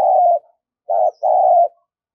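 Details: Captive decoy spotted dove cooing strongly to draw in wild doves; a level coo ending, then a short note followed by a longer steady mellow coo, with clean silence between phrases.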